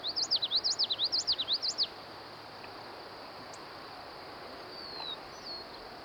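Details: A Common Yellowthroat sings a quick, bright witchety-witchety phrase of rising and falling notes at Manassas National Battlefield Park in summer, followed by faint distant whistles over steady hiss.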